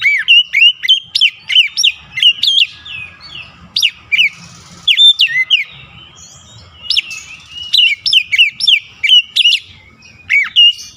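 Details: White-rumped shama song meant to stimulate a stressed bird into singing: loud, sharply rising whistled notes repeated steadily, roughly three per second, in several bursts with short gaps.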